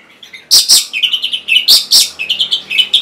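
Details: An orange-headed thrush (Geokichla citrina), played to prompt silent or lazy captive birds to sing, gives a quick, varied string of high chirps and short whistled phrases, broken by four sharp, loud snapping clicks.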